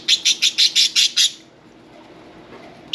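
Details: Pet budgerigar: seven rapid, evenly spaced high chirps in about a second, then a pause and the start of another chirp, over a faint hum.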